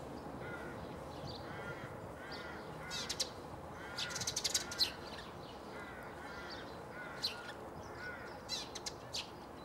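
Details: Eurasian tree sparrow calling at Bundek, Zagreb, Croatia, on 9 March 2015: short, sharp, high chirps burst in a quick cluster mid-way and again near the end, while lower, harsh, drawn-out calls from other birds sound repeatedly beneath.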